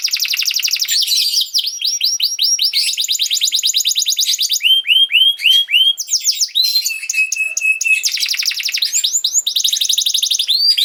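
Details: Canary song used as training for young canaries: continuous high rolling trills of repeated downward-sweeping notes shifting between phrases, with a steady whistled tone near the middle and fast rattling bursts, no pauses.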